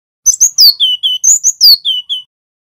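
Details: Male cinereous tit, a local Javanese bird, singing a clear loud phrase used to train other tits: high rising chirps followed by descending whistled slurs, the pattern given twice within about two seconds.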